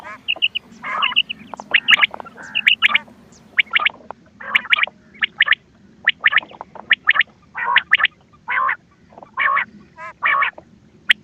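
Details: Quail calls played from a cassette as a hunting lure, recorded 20 October 2025: harsh, clipped bursts repeated about once a second in an uneven rhythm, with a steady low hum underneath.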